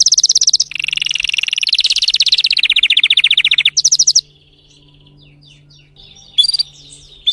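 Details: Timbrado canary singing a fierce, strong song: rapid buzzy trills of evenly repeated notes, shifting pitch and speed for about four seconds, then a pause and a few soft, thin chirps over a faint low hum.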